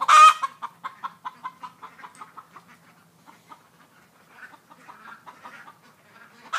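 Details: Broody Buff Orpington hen: a loud opening squawk, then a steady run of short, throaty clucks about three per second that gradually fade, followed by a softer, rougher, murmuring stretch.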